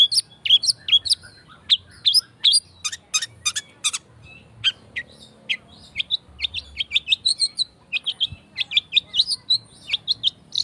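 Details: Fast, dense long-tailed shrike song used as a lure: quick bursts of high chirps, whistled slurs and scratchy notes, with a cluster of harsh broadband strokes near the start, then steady chattering phrases to the end.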